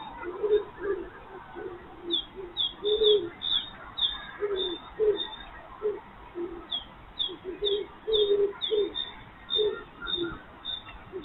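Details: ['First common cuckoo of the spring year, calling in the morning: a steady series of soft, low two-note hoots. Sharp high chirps from other birds sound throughout.']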